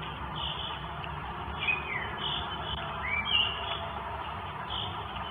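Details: Northern goshawk nestlings in Estonia begging their mother for food, recorded by a live nest camera on 24 May 2022: a few thin, slurred whining calls, one falling and one rising, over constant hissing background noise.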